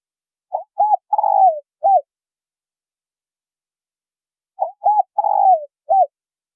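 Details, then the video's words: Spotted doves, male and female, calling to excite newly caught birds. Two identical four-note phrases four seconds apart, each a quick note, a rounded coo, a long quavering falling coo and a final rounded coo, in an otherwise silent background. "Tiếng chim cu gáy trống mái thổ kích bổi hay mới"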